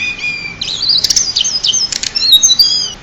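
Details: Pied bushchat, called a champion singer, gives a bright, high-pitched song: thin whistled notes, then a burst of rapid chirps and clicks with quick rising and falling sweeps.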